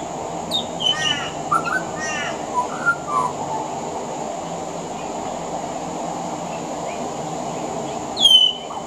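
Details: Male pied butcherbird singing on a veranda in Australia (040218), with mimicry of other Australian birds: a quick run of varied whistles and chattering notes, a long pause, then one sharp falling whistle, over steady background hiss.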